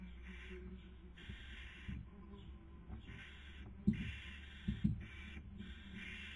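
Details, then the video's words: Barn owls in a nest box at Cabañeros National Park, Castilla-La Mancha, Spain, 2020 breeding season, female feeding, male trying to sleep; a string of harsh snoring hisses with several sharp knocks near the end. "La hembra cebando y el macho intentando dormir · The female feeding and the male trying to sleep"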